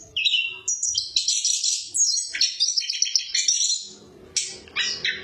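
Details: Chestnut-capped thrush song, kept to tutor other birds. A rapid, varied run of bright whistles, sharp chirps and buzzy trills, mostly high-pitched, in dense phrases with short gaps and a final burst of strident notes.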